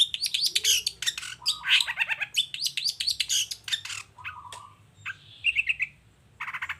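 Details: Long-tailed shrike song used as a lure for answering shrikes: a loud rush of overlapping harsh notes and mimicking phrases with short level whistles, fading into a buzzy trill and scattered notes.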